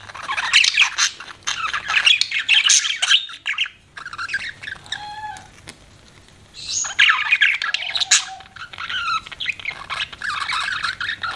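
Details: Pet budgies chirping loudly: busy, scratchy warbling chatter with a few clearer whistled notes mid-way, a short lull, then more rapid twittering.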